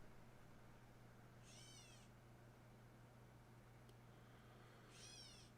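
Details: A catbird gives two nasal, cat-like mews, each slurring downward, about three seconds apart, over a steady low hum, heard near a house.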